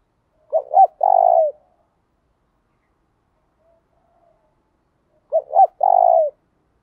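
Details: Spotted dove song in the 'thổ đồng' style, meant to provoke rival males into replying. The same phrase comes twice, about five seconds apart: a quick pair of clipped coos, then a long, level, falling coo. Silence falls between phrases.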